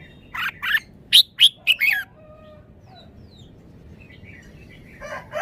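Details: Red-whiskered bulbul, a caged songbird, singing wild-style phrases: a quick run of four or five loud liquid whistled notes, then quiet with faint distant calls.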